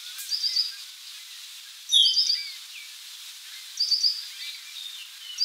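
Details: Worm-eating warbler, a shy warbler usually on the ground and hidden from view, calling while resting: three short bursts of high, thin chipping notes, with a brighter lower sweep near the two-second mark.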